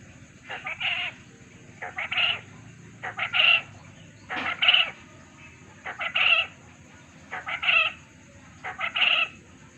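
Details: Quail call used as a lure to make quail answer; repeated bursts of sharp, high whistled notes, each burst ending in a brief squeaky note, roughly every one and a half seconds.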